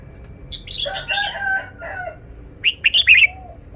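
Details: Red-whiskered bulbul in a cage shows its song phrasing: a descending, chattering, layered phrase, a pause, then a quick series of loud, bright, sharp notes.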